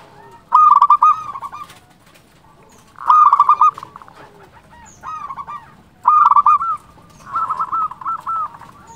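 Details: Loud local zebra dove used to provoke other doves into calling: four phrases of rapid rolling coos, each a burst of quick pulsed notes, spaced about two to three seconds apart.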